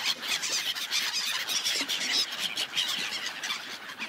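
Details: Many gulls calling on a frozen lake, loud and unbroken: piercing, nasal squeals pile over one another throughout, without any music or speech.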